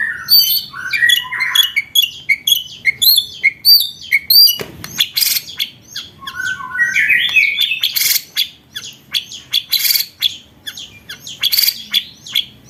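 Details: White-rumped shama song used to train contest birds: rapid, varied high chirps and sweeping whistles, with a loud broadband burst partway through, then a rising trilled phrase.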